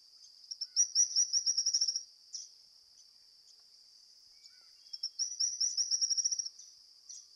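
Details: Stripe-crowned Spinetail, Argentina: two high, thin, fast trills of clipped notes, each lasting about a second and a half and rising slightly in loudness, separated by a short pause with a few softer single notes.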